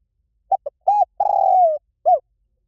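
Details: Spotted dove, a 'liu tan' style song played to lure and train a dove to call back: two short low coos, then a long sustained coo sliding downward, and a final short coo.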